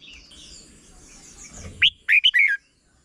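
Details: A red-whiskered bulbul sings one crisp phrase of four sweet whistled notes after a hissy, murmuring start. It is a short 'berb' style song used to teach young birds.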